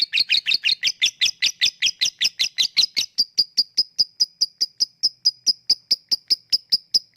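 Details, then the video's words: Lovebird ngekek chatter moving into ngetik ticking, used as a lure for lovebirds reluctant to sing; a quick run of buzzy, layered chattering notes for three seconds, then a steady train of thin high ticks. "Ngetik lanjut ngekek@Pancingan untuk Lovebird yang malas bunyi"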